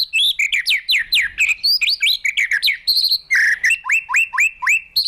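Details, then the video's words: White-rumped shama trained and provoked into intense fighting song, flicking its tail on the perch; rapid, energetic stream of short swooping whistles, closing with a series of repeated upslurred notes. "Chòe Lửa Đánh Đuôi Sàn Cầu Kích Lửa Hót Căng. luyện Chòe lửa hót đấu"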